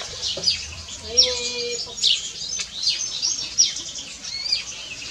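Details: Bright, scratchy chirps from house sparrows come in irregular bursts throughout. A brief lower tonal sound appears near the start, with a faint hum behind.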